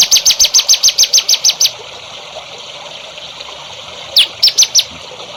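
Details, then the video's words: Songbird heard in a masteran for young contest birds: a string of about a dozen quick, high, chipping notes at an even pace, a pause of over two seconds, then four more sharp down-slurred notes. "MASTERAN BURUNG HANDAL UNTUK CALON BURUNG JAWARA"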